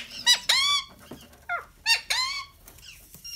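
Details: Loud, grating screeches from a pet rose-ringed parakeet, each a rich harsh note bending downward, arrive in pairs with short gaps and a softer squeak between.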